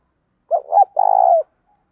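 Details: Loud, clear calling coo from a decoy spotted dove: a doubled hollow opening note, then a sustained throbbing purr that tails off.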